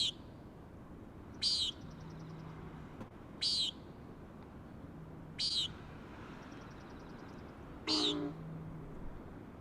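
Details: From a granite ledge on Schoodic Head on a day of high surf, a common nighthawk gives five harsh, buzzy peent calls, spaced roughly every two seconds, above a constant wash of breaking waves.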